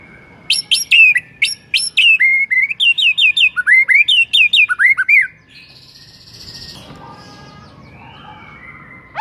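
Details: Shama bait song to prompt other shamas into loud singing, with a fast, energetic run of sharp notes and looping whistles for about five seconds, then quieter background noise.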